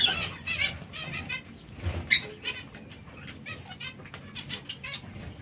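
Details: Feeding zebra finches, busy with seeds and fresh greens, utter a string of quick nasal chirps, loudest at the start and around two seconds, then softer, scattered calls.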